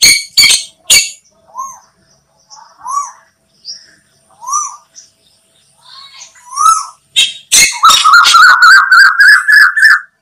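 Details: Asian koel sounds used as a lure for hunting birds: scattered short chirps and upslurred notes, ending in a fast, insistent run of repeated loud notes.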